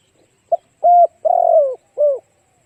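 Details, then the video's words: Spotted dove cooing, played as a lure to attract other doves: a short note, then longer hoarse coos with a drawn-out falling middle note and a closing coo, in a quiet setting. "Cu gáy kích mồi tập bổi hiệu quả nhanh"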